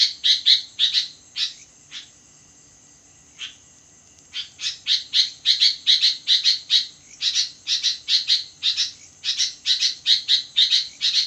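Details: Midnight song of a sooty-headed bulbul: opening chirps, then near silence broken by two or three lone notes, then a long lively burst of rapid scratchy paired chirps lasting about seven seconds over a faint high hum.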